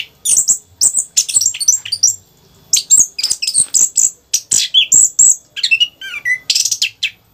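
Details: Energetic 'rock n roll' song from a caged orange-headed thrush, recorded as a lure for birds at home: fast high chirping bursts and clicks, a brief pause near two seconds, then looping whistles and buzzy notes.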